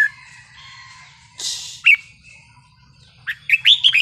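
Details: Red-whiskered bulbul in the wild-song style, played to stir up other bulbuls: scattered short bubbly whistled phrases with sharp upslurred notes, a burst of wing noise, and a low steady hum beneath.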